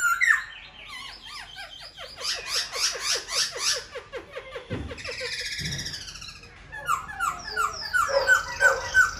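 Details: Caged, tame silver-eared laughingthrush, said to spread its wings and fan its tail while singing all day: a jumble of rapid descending slurred notes, then buzzy rattles and a burst of bright repeated whistles.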